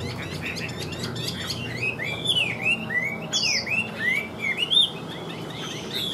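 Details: A caged Chinese hwamei sings as soon as it is hung out: a rich, varied run of loud whistled phrases with sweeping rising and falling notes, delivered continuously over a light background hiss.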